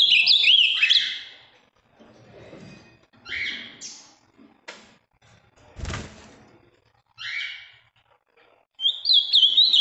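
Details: Ultramarine grosbeak of Minas Gerais, a large deep-blue singer, gives bursts of warbled whistled song at the start and end, with short call notes and a knock between them.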